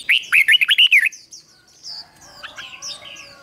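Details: Red-whiskered bulbul kept as a decoy to attract wild birds, delivering a fast, loud run of about eight bubbly, rolling whistled notes, followed by softer thin chirps from other birds.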